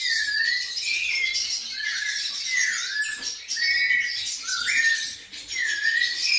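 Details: Kept white-necked thrush singing: a continuous run of bright, warbled, slurred whistled phrases, some rising and some falling, with rich overtones. It continues with only brief pauses against a quiet background.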